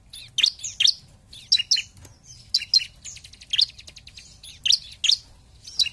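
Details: Lure song of a bar-winged prinia in gacor style: paired and tripled piercing high chips, repeated about every second, with brief buzzy trills between them.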